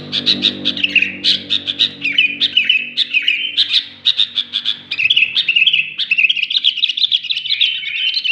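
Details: Sooty-headed bulbul singing energetically, a quick string of bright chirps and rising and falling warbled notes in steady bursts, over a faint low droning hum at the start.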